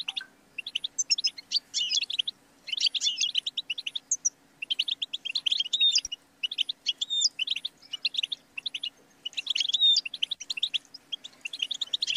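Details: Long European goldfinch song with bursts of liquid twittering, rattling runs and occasional sliding whistles, broken by short silences, over a faint steady hum.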